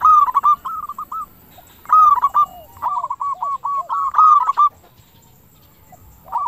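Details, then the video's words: Local zebra dove with a clear 'crystal' voice, a lure to stir other doves into answering; four bursts of fast, bouncing coos, each phrase a run of short bright notes, with softer doves behind. "PERKUTUT LOKAL GACOR SUARA KRISTAL - Pancingan perkutut bikin cepat nyaut"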